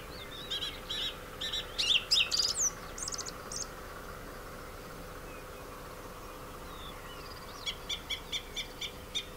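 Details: A male song thrush sings from orange groves at Sueca, Ribera Baixa, Valencia, Spain, where the species now breeds: loud, varied, high whistled and chattering phrases in quick bursts, then a run of sharp repeated notes over a steady low hum.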